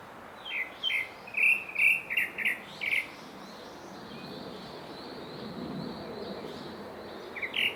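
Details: Grey-backed thrush delivers a quick burst of about eight short whistled notes, then falls quiet while a steady high insect-like drone continues, with two more notes at the end.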